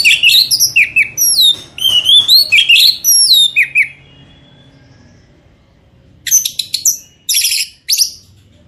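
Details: Orange-headed thrush song used as a lure to make birds sing: rapid varied whistled and slurred high phrases, some rising and falling, in a dense burst, then a pause and short buzzy scratchy notes.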